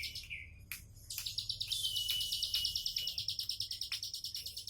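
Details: Relaxed tembakan song of the bar-winged prinia (ciblek sawah): a short whistled note, then a long stream of rapid, evenly spaced high chirps over a buzzy trill.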